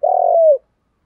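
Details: Spotted dove decoy bird calling to lure wild doves: one sustained, mellow mid-pitched coo about half a second long, slightly tremulous, then sliding gently downward at the end, with no other sounds.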